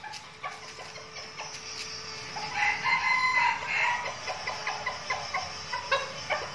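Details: Captive red junglefowl kept as decoys, Bình Phước, Vietnam: a crow of about one second in the middle, among repeated clucks and sharp clicks from the flock.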